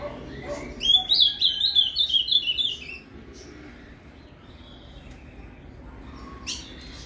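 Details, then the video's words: Azulão (ultramarine grosbeak) delivering Paraná canto fibra song to stimulate a captive bird: a two-second phrase of fast, ringing whistled notes at a steady pace, then near quiet with a single faint chirp later. "ESQUENTE seu AZULÃO com esse PARANÁ CANTO FIBRA !"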